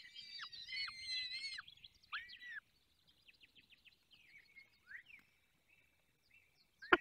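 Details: Falcon calls at a nest in Poland's Barycz Valley at feeding time: two strong wailing calls with downward-slurred endings, then quiet, scattered soft notes and a sharp click at the end.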